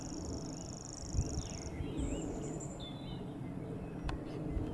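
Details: Grasshopper warbler in Totteridge Valley, 6 May 2017, gives a high, finely pulsed mechanical reel for under two seconds, then stops while other birds add short whistled notes against a windy background with a sharp click.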